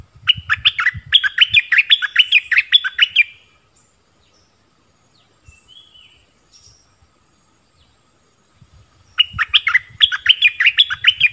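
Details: Decoy bulbul used to lure wild birds, recorded 16 March 2021: two loud bursts of quick, bubbly, chattering notes, each lasting about three seconds, separated by a quiet pause with faint distant calls.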